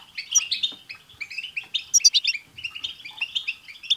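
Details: Several European goldfinches in a group song meant to get a pet goldfinch singing; continuous tinkling twitters and quick trills, loudest in the middle.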